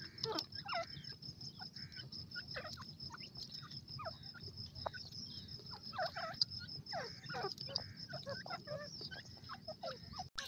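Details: Teetar partridge from Iran giving repeated scratchy, chattering calls in irregular bursts throughout, with a steady high whine and low rumble behind.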